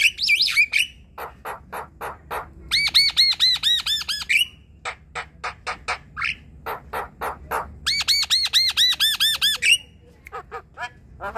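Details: Asian pied starling song for stirring quiet, lazy birds to sing: harsh rasping notes about twice a second, two runs of arched harmonic whistles each ending in an upslur, then clipped scratchy notes.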